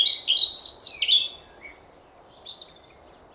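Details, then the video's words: A European pied flycatcher (Ficedula hypoleuca) sings a quick, bright phrase of high, sweet, tumbling notes lasting just over a second, followed by a few softer, thin notes. "Мухоловка-пеструшка поёт"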